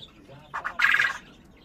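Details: Common quail (Coturnix coturnix) singing on a spring day, one of a father and son pair: a quick phrase of two short clipped notes and a louder rasping third note, against a quiet background.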